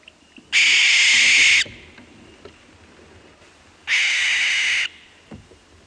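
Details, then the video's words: Wild barn owl screaming at night: two harsh, rasping, hissing screams, each about a second long, separated by roughly two seconds of quiet background. "imagine yourself standing in a quiet field under the moonlight as the scream of the barn owl echoes in the darkness."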